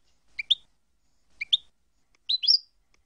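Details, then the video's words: European goldfinch song passage from a full tape assembled from approved song segments: paired high chirping notes given twice, then a denser, longer twittered phrase, all bright and thin against silence. "goldfinch songs - (chants) - شريط كامل تغريد مقاطع الحسون"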